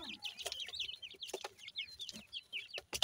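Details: Grey francolin chicks, known locally as Pakistani teetar, exploring their natural habitat: rapid, overlapping high peeps, each sharply slurred downward, pouring out continuously with scattered clicks and taps between them.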